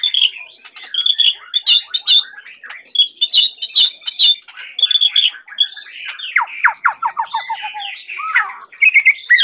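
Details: Murai batu (white-rumped shama) from Medan in full song, swaying jerkily as it sings. High, sharp whistled notes repeat in bursts, then give way to chattering scratchy phrases and quick descending trills, loud and continuous throughout.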